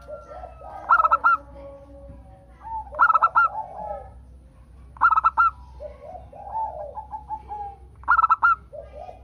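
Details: Local zebra dove singing as a lure to prompt other doves to sing: four bursts of quick, ringing stuttered notes, roughly every two to three seconds, with softer lower cooing phrases between them.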